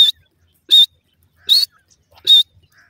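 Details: Racing partridge chicks utter four strong, high-pitched peeps, each short with a slight upward inflection, spaced about three-quarters of a second apart in an otherwise quiet setting.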